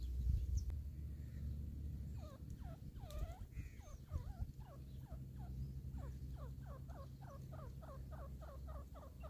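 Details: Wild grey partridge (teetar) in a hunting setting: after a short quiet start, a run of loud, downswept notes repeats about three times a second and gradually speeds up, over a steady low rumble of background noise.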